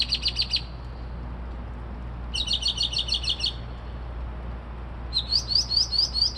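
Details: Bird singing at 2:30-3:00am, reportedly imitating car alarms, sparrows and other sounds; three contrasting phrases of fast repeated high notes, the last made of rising, whistled upslurs, separated by short pauses, over a steady low hum.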